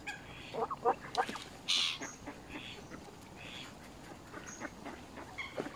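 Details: A Canada goose, close up at Smith's Pool, Fenton, Stoke-on-Trent, UK, on 21 November 2021, gives a few short, nasal honks in quick succession, with smaller birds chirping and a brief hiss of noise behind.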